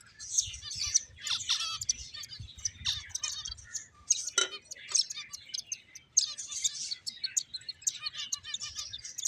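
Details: A group of finches playing, chattering with rapid high twittering chirps and short trilled notes, nearly continuous throughout, with faint soft thuds in the background.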